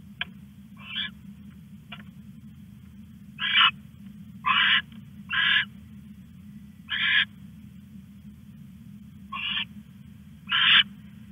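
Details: At 1:41 AM, August 21, 2015, an owl stashing a rat utters harsh hissing screeches, some brief and faint, others louder and longer, scattered irregularly through the stretch over a low background hum.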